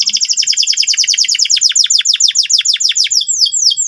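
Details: Loud, driven canary ngeriwik song meant to help young canaries learn quickly. A steady, rapid trill of high downward sweeps repeats about three times a second, ending in broader curved notes.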